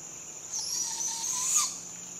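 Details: Barred owl fledgling begging at sunrise: one drawn-out, raspy hissing screech lasting about a second and a quarter that swells and ends in a brief rising note. A steady, high insect drone continues throughout.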